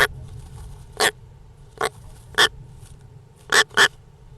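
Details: Short, grating broadband calls of European rollers, single or doubled, spaced irregularly about every half second to a second, against a faint low rumble.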